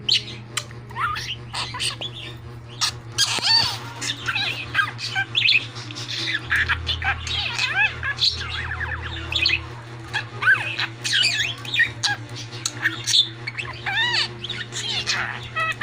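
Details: A male pet budgerigar chatters in fast, scratchy warbles, mumbling and sometimes jumbling words he learned from his owners and from another parakeet.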